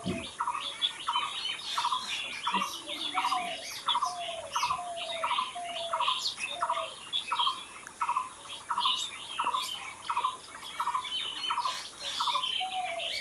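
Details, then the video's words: Birds singing in nature: one bird repeats a short buzzy trilled phrase very regularly, roughly every two-thirds of a second, over a steady background of scattered high chirps and twitters. "Natural Birds Chirping"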